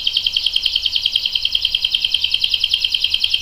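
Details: A canary sings one long unbroken roll, a fast, even trill of high notes pulsing about eight times a second without a pause, used as a lure and tutor song for young and adult canaries.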